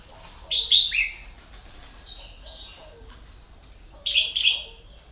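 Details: Red-whiskered bulbul kept as a decoy bird for luring, giving two loud, bright whistled phrases roughly three seconds apart, each a quick cluster of rising and falling notes, with softer chirps and faint low cooing between.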